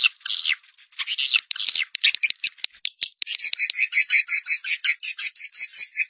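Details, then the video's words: Swiftlet (Collocalia vestita) call sound, one of three swiftlet call types: harsh, scratchy chirps at first, then a fast, even run of high buzzy chitters, nearly three a second; nothing else heard. "Swallow Calling Sound (call voice)"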